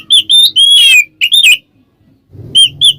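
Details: Ngeplong-style Oriental magpie-robin song played to provoke rival birds: clear rising and falling whistles in quick succession, a short silence, then two brief whistled notes over faint low background rumble.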